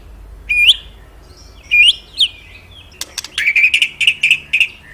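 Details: Magpie-robin song used to lure captive birds: a few spaced upswept whistles, then a fast buzzy trill with sharp clicks.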